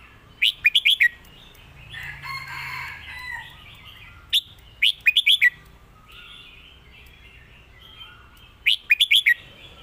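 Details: Red-whiskered bulbul, a competition songbird, repeating short bursts of three or four fast, clear whistled notes every few seconds. A harsher, hoarse call from another bird sounds early on, and soft chatter runs underneath.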